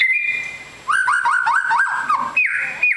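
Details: White-rumped shama of the long-tailed 'super fighter' type: a sustained high whistle, then a quick run of looping, warbled notes and a final clear rising whistle.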